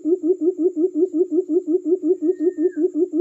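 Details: Quail call used to lure wild or forest quail: a low, hooting note repeated rapidly and very evenly, nearly three per second, in a steady run, with a faint, thin, high, continuous whine and one brief whistled slur in the background.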